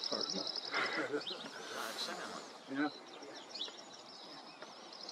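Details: Dark-eyed Junco, a North American vagrant, singing in the morning in a small coastal garden at Rattray Head, Aberdeenshire, on 10 May 2023: a rapid, even trill of high dry notes over other birds' whistles, chirps and steady outdoor noise.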